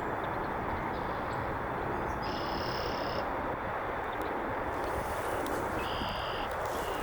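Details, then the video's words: A North American Red-winged Blackbird marks its territory at the edge of a beaver pond in the northern USA, giving two high, buzzy, trilled notes about three seconds apart over a steady rushing background noise. "Red-winged Blackbird calls out"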